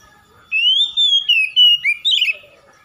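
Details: Oriental magpie-robin, called kacer, in song used to coax an unwilling bird to sing: one continuous phrase of rich whistles, rising, wavering and dropping, ending in a buzzy flourish.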